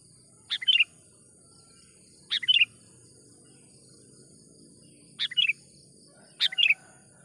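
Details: Sooty-headed bulbul lure call for attracting wild bulbuls to a trap: four crisp, short chirping phrases at uneven intervals of one to three seconds, with a steady high insect buzz and faint low rustling.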